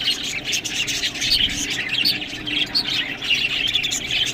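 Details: Budgerigars eating green food, with lively overlapping chirrups and clear whistled squeaks scattered through a buzzy background chatter.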